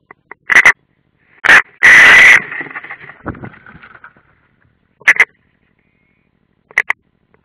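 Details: European roller at its nest, Ādaži military training ground, Latvia, 30 June 2016: short harsh rasps, then one long grating call trailing into rustling and scraping, followed by a few more brief rasps.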